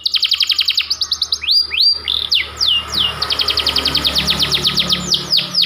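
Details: Captive white panda canary pouring out a persistent song of fast descending chips, upward swept whistles and long rolling trills of rapid repeated notes, with a faint low hum behind.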